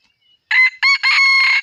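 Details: Crow of an F1 junglefowl cock: a short harsh note, a second short note, then a long, even, raspy note held for over half a second, loud and clear against silence.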